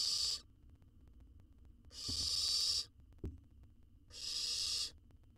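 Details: Wild owl chick in a research nest box devouring a jird; three rasping hiss bursts roughly two seconds apart, each under a second, with a couple of short knocking thumps between them.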